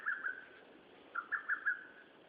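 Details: Birdsong recorded 13 June 2011: a pair of soft whistled notes, a pause, then four quick even notes in a row, against faint constant background noise.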